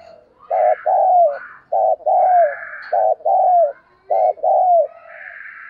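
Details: Spotted dove decoy bird cooing excitedly: four low, hollow coo phrases about a second apart, each a short note then a longer slurred, falling note, with faint higher chirps from other birds between and after.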